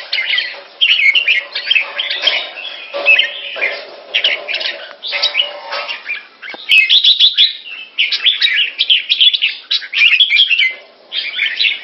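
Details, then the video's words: Red-whiskered Bulbul, a pet bird in Singapore, giving keke calls on command: dense, continuous chattering of harsh chirps and warbles in rapid bursts, with a faint low hum beneath. "Jambul - สิงคโปร์เลี้ยง นกหัวจุก Mickey (keke on command) (Singapore)"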